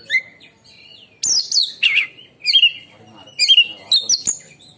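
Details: Shrill, piercing song of an oriental magpie-robin kept as a contest bird: a rising whistle, then loud sharp high bursts, slurred whistles and chattering notes in quick succession, the delivery compared to a lightning strike.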